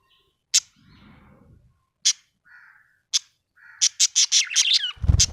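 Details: Happy budgerigar giving sharp isolated chirps about once a second, then a quick run of six bright chirps sliding into a downward squeaky warble, ending with a low thump.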